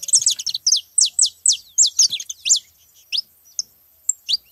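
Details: Saffron finches crowding a feeding spot: a bright run of steeply falling whistled notes, about two per second, loud and clear, fading into a few spaced single notes at the end.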